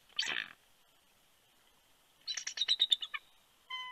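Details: Bald eagles exchanging calls at their Big Bear, California nest during a nighttime incubation shift change, 28 January 2020, as the female lands. A short harsh squeal, then a quick run of piping, chittering notes, and a brief tonal sound at the end.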